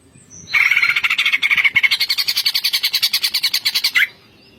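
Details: Greater green leafbird in ngentrok song: a continuous fast rattling trill of over three seconds, harsh and buzzy with evenly repeated pulses, ending in a slurred note.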